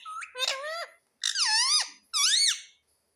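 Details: Parrot repeating "mummy" three times in quick succession, each a shrill, nasal, harmonic utterance whose pitch swoops down then up, spaced under a second apart.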